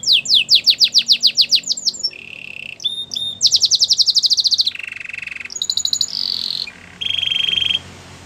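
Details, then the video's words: Singing Belgian canary, for training canaries: quick descending trilled notes, then varied tours of buzzy rolls, bright rapid trills and steady sustained whistles, with faint background hiss. "Belgian canary singing"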